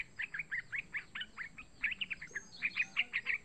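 A young yellow-vented bulbul gives quick, bright chirps, about four a second, over a faint low hum.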